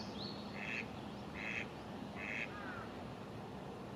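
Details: An Eastern spot-billed duck in Japan on a cool, cloudy 24 April 2022 gives three harsh, nasal quacks about a second apart, with a faint higher bird note and steady background hiss.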